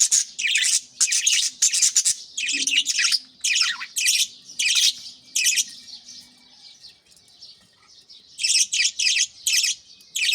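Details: Pet budgerigars kept in a home aviary at early morning, active and feeding chicks in nest pots; dense bursts of high chirping and chattering warble in quick repeated clusters, with a pause midway before chirps resume.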